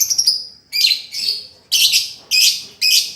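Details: Lovebird song from a master recording for retraining a silent lovebird: short, harsh, high chirps repeated about twice a second with a slightly uneven rhythm.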